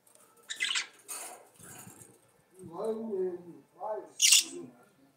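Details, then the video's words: Budgerigars chattering in song: scratchy clicks, then stacked nasal warbling notes in short phrases and a sharp high rasp near the end. "CANTO DE PERIQUITOS-AUSTRALIANOS"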